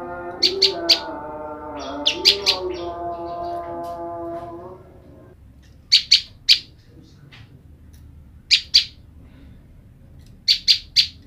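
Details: Female olive-backed tailorbird, kept apart from her mate, calling the male: sharp, bright chip notes in quick bursts of three, five bursts spaced a few seconds apart. A low droning hum runs under the first half.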